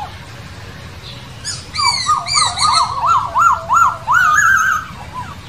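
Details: Masked laughingthrush in the wild singing a rhythmic series of zigzag whistled notes, rising and falling about three times a second, ending in a longer wavering phrase, over faint background noise.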